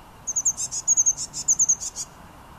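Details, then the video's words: A blue tit sings in Münchenstein, Switzerland, in January 2013: very high, thin sliding notes, each followed by a short buzzy burst, three phrases in under two seconds over a quiet background. "Blue Tit - Blaumeise - Parus caeruleus singing"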